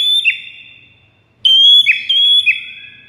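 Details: White-rumped shama master song played to lure rival shamas: long, loud, steady high whistles with short downward flicks, a pause, then another sustained whistled phrase with dipping notes.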